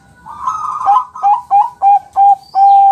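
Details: Bangkok-type zebra dove singing a training song meant to make other birds answer: a rolling trill followed by five short, clipped whistled notes about every third of a second, ending in a longer steady whistle.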